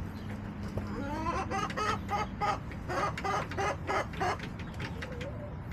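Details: Backyard hens recorded on April 27, 2024 by a backyard chicken camera: a run of clucks, some rising and harmonic-rich, repeated rapidly about three times per second, over a steady low background hum.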